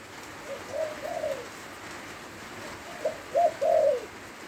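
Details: {'caption': 'Spotted dove singing in the rain near Lopburi, Thailand: two soft, husky cooing phrases, the second louder and ending in a longer drawn-out coo, over steady hiss of rainfall.'}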